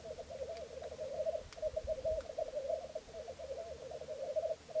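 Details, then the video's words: Three black grouse males displaying at a lek at Filsartrusket in Florarna, filmed from a hide in early morning on 17 April 2013; steady, continuous bubbling cooing rolls on without pause, with a few faint clicks above. "Orrspel i Florarna"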